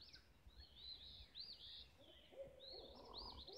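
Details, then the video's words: Birds singing at sunrise on a lane in Olivehill, Tennessee: overlapping high warbled phrases weave continuously, with lower, softer whistled notes rising beneath them in the second half. "Sunrise melody of birds"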